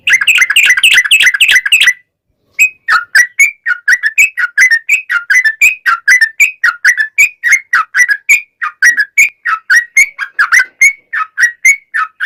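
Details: Sooty-headed bulbul (trucukan) giving a long, vigorous song as a lure to get other trucukan singing; a dense fast burst, a brief gap, then a steady stream of bubbly whistled notes, about three or four per second.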